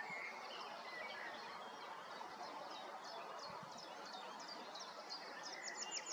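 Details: Willow warbler singing in woodland at Kotthausen, Wuppertal-Beyenburg, Germany, on 3 May 2023: a faint series of high, sweet notes slips gradually downward in the second half, over a steady hiss of background noise.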